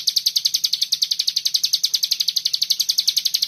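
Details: Dense 'bren rapet' song of a common iora, recorded for tutoring songbirds: an unbroken run of sharp, high, buzzy notes delivered several times per second at a steady fast pace.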